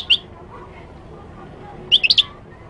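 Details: Moroccan goldfinch: one clear high chirp, a pause, then a rapid run of four bright, tinkling notes, with faint low background hum.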